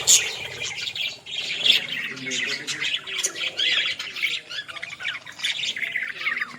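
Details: Australian parrots heard in a village: continuous dense, high, scratchy chattering and warbling from several birds, with quick squeaky notes overlapping throughout.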